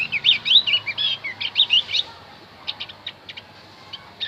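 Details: Javan white-eye song for luring wild birds: a busy twittering phrase of high notes for two seconds, followed by sparse short clicks and chips.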